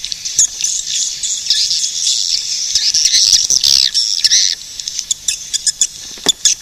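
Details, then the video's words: A swell of shrill swiftlet chatter lasting several seconds, fading into sparse sharp clicks and isolated squeaks. "suara burung walet"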